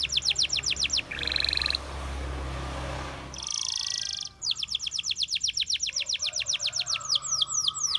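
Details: Canary singing quick high trills and a buzzy tour over a low rumbling background noise, then a long fast run of pulsed notes ending in falling slurred whistles.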